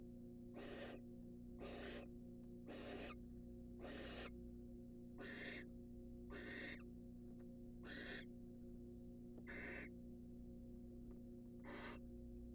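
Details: Rasping, breathy hisses from a wild barn owl incubating in a monitored nest box, nine bursts spaced unevenly over twelve seconds, with a steady mechanical hum underneath.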